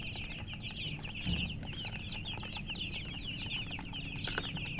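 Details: Many chicks of a hen chirp together, thin high peeps tumbling over one another continuously, with a soft thump partway through.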